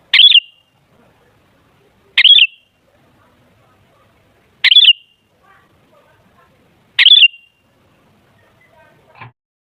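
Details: Sooty-headed bulbul lure song to rouse other bulbuls: four short, bubbly whistled phrases spaced about two to two and a half seconds apart, with faint rustling between them.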